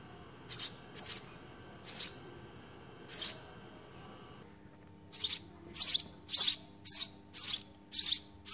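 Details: Begging from house sparrow chicks in their nest during feeding: scattered high chirps, then a pause, then a quicker run of loud chirps near the end.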